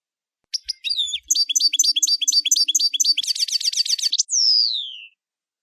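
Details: European goldfinch song: clipped chips lead into repeated sharp twittered notes, then a fast buzzy trill, closing with a long clear whistle sliding downward.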